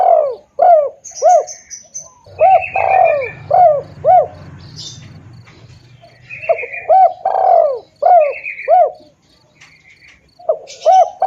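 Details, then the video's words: Spotted dove lure call: series of short arched hoots with long sliding coos, repeated in several phrases. High chirps from other birds and a low rumble are heard between them. "suara pikat tekukur|SUARA BURUNG TEKUKUR"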